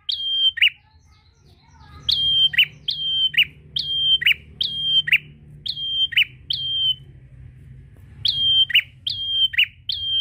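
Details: Prenjak prinia calling a rival: a long run of repeated phrases, flat high whistle then a lower rasping chirp, after a brief opening pause, with soft low-frequency background noise.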